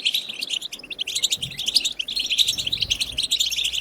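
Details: European goldfinch 'bitbita' wild song, used to get goldfinches singing: dense, lively high twittering with ringing, metallic notes running almost without a break across the whole stretch.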